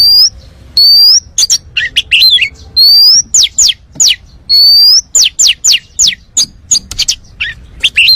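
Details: Champion oriental magpie-robin singing a full, filled-in song meant to lure other birds into singing: long, clear rising whistles repeated about every two seconds, each followed by clusters of sharp, steeply dropping chirps.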